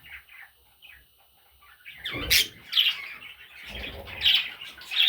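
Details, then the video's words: Quiet at first, then baby parrots burst into harsh, high squawks in clusters about every second, backed by low bumps and shuffling. "Baby Parrots – Sweet Little Chicks!"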